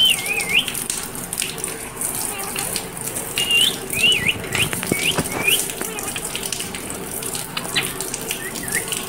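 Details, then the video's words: Pet parrot giving clear, wavering whistled calls that dip and rise, repeated roughly every second or two with short gaps, alongside faint clicks and a steady low hum. "Clear Voice of my parrot"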